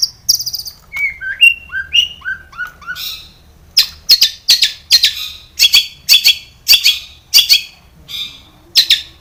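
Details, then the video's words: Long-tailed shrike song for drawing captive shrikes into song: a run of stepped, falling whistled mimic notes, then loud harsh scratchy chatters spaced irregularly. "SUARA cendet gacor ISIAN SARKASAR pancingan cendet agar bunyi"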